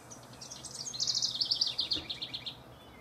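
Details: House wren song from a bout between rivals, recorded 6/12 to 6/24/15: a rapid, high, gurgling cascade of notes swelling and then tumbling downward for about two seconds against faint background hiss.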